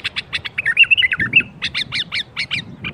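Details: Bulbul birwaz for opening up silent bulbuls: rhythmic paired chirps run into a looping whistled warble, then more evenly spaced double chirps continue to the end.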